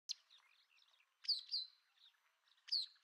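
White wagtail giving sharp, high chirping calls in quick bursts, with softer twittering between them.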